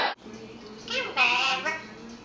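An Eclectus parrot talks in a humanlike voice, a short burst of clear spoken syllables like "mama" rising in the middle, with a faint room hum behind.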